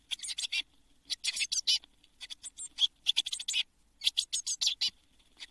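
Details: Blue tit chicks, a brood of seven, in a nest box shortly before fledging on 24 June 2022; groups of harsh, hissy, high chirps in dense bursts separated by brief pauses.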